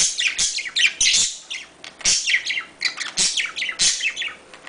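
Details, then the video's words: Domestic budgerigar chatter aimed at stimulating breeding: rapid, unbroken twittering warble of high chirps and sliding notes, punctuated by loud scratchy squawks roughly every second. "muhabbet kuşu çiftleştirme sesi muhabbet kuşu kızıştırma sesi muhabbet kuşu sesi طيور الحب صوت تزاوج"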